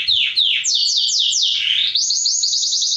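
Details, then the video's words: Mosaic canary song for stimulating mating and teaching chicks: several broad downward-swept notes repeated quickly, then a very fast, high, even trill. "تغريد كناري موزايك رائع لتحفيزعلى التزاوج و تعليم الفراخ"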